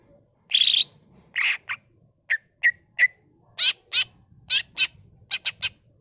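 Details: Greater green leafbird singing energetically with imitated fills: harsh raspy bursts alternate with short clipped chirps and quick triple notes, over a low background rumble.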